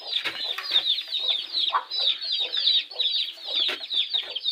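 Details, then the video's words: Broody golden hen, kept as a pet, settling herself onto eggs in summer; dense, continuous chicken clucking and chattering with many overlapping short notes, steady through the recording. "My Golden Hen Is Broody in summer"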